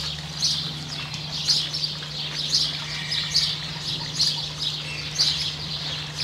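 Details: Variable oystercatcher with a chick in New Zealand: sharp, high piping notes repeated about once a second in loose sequence, over a steady low mechanical hum.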